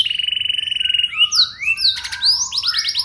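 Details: Canary lure song for drawing replies from other canaries: a pulsing steady trill gives way to sliding whistled notes and a rapid stuttering phrase.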